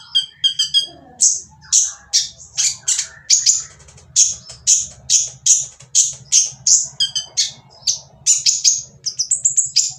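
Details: A kolibri ninja, or Van Hasselt's sunbird, sings roughly to draw other birds into song: opening stuttered chirps, then a long steady series of piercing, down-slurred high notes about two per second, over a low background hum.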